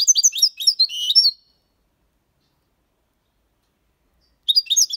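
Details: European goldfinch, six months old, singing clean Malaga copy-style song for tutoring young birds: a short burst of jangling twitters, about three seconds of silence, then another phrase starts.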